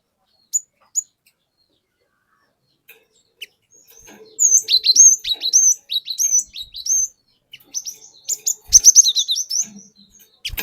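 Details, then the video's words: Cinereous tit, a forest-caught bird, singing a lure song meant to provoke other birds: after sparse clicks, loud high whistled two-note phrases repeat rapidly in bursts, with sharp upslurred notes near the end. "Pancingan Burung Glatik Batu Bahan Hutan Auto Ngeplong Wucit Wuit Ngerol Panjang"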